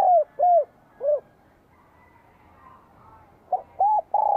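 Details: Spotted dove in 2023 with a bell-like voice, singing energetically to provoke wild doves and welcome spring: low arched coos, three in quick succession, a pause, then more coos and a drawn-out final note.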